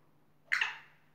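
A black francolin gives a single harsh, grating note that trails off in under half a second, over a faint steady low hum.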